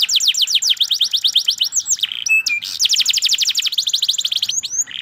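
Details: Canary in full song, a fast run of rapid descending trilled notes, then a brief nasal buzz and a low flat note before another quick trill and a closing harsh note.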